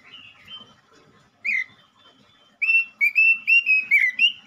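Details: Male robin singing loudly, used to lure or stimulate other robins: quiet soft notes at first, then a single sharp note and a quick run of clear whistled, slightly warbling phrases repeated in a bouncy rhythm.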